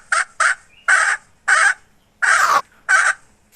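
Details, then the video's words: Hen from 2021 uttering six harsh, nasal squawks at irregular intervals, two quick short ones first, then longer rasping notes about half a second apart. "Suab poj qaib seev dib tuaj"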